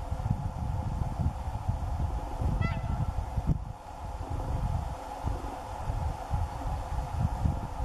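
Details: One short, bugling Whooper swan call with stacked overtones rising above heavy, constant low-pitched wind or handling rumble.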